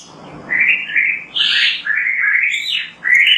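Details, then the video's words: Oriental magpie-robin (kacer) sings clear, loud whistled phrases, rising and falling, with brief upward slurs and a sharper note in the middle, delivered in a steady flowing sequence. "MASTERAN BURUNG KACER GACOR BERSUARA MANTAB"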